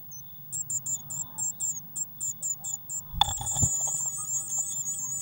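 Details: Nest box of Eurasian blue tits on 19 May 2019, waxworm feeder just refilled; evenly spaced thin chirps give way after a loud knock to a dense, excited stream of high calls.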